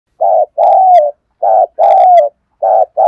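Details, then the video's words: Spotted dove decoy bird calling in the morning: low, hoarse coos, a short note followed by a longer drawn-out note that slides down at the end, repeated in a steady pattern with clean silent gaps. "Tiếng chim cu gáy mồi gáy gọi buổi sáng"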